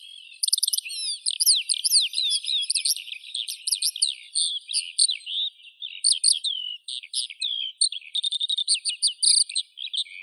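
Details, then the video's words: A skylark delivers an extended high-pitched warbling song, dense rapid trills and chirps tumbling one after another, with brief lulls near the middle and a sustained whistled passage toward the end. "Skylark Birdsong"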